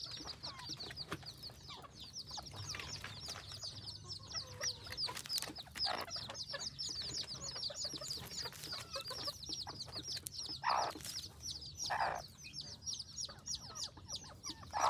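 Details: Village-kept F2 junglefowl hybrid decoy fowl in Roi Et province, Thailand, Phon Thong district; a steady chorus of thin, high peeps runs throughout, with scattered louder broadband knocks and rustles.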